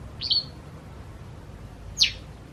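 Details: White wagtail from a pair observed as spring nears: two crisp, high tweets, a short flat note followed by a steeply falling sharp chirp, with low background hum.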